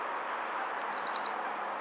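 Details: Eurasian blue tit male singing to attract a mate: a thin, very high introductory whistle followed by a quick, slightly falling trill of about five notes, with faint background hiss.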